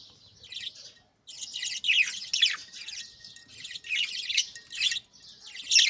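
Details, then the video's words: Captive budgerigars greeting the morning while chicks in nest pots are fed; scratchy warbling chirps come in rising and falling bursts after a short pause, high and busy. "بجریز کی خوبصورت صبح 🦜Beautiful Morning Vibes & Chirping Sounds"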